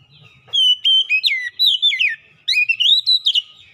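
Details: Kacer singing to lure and excite quiet birds, a dense run of loud whistled notes, some held level and others slurring down, then a second phrase rising in pitch after a short pause.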